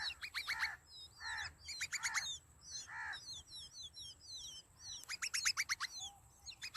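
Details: Sparrow chicks begging for food in their nest, a busy chorus of high twittering chirps mixed with loud, rasping stacked calls that come in bursts every second or so.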